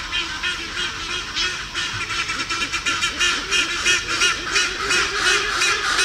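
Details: A noisy group of Black-and-white-casqued Hornbills up in the trees in sub-Saharan Africa gives loud, resonant, nasal, braying honks from their large beaks, about three a second, overlapping in a rough chorus.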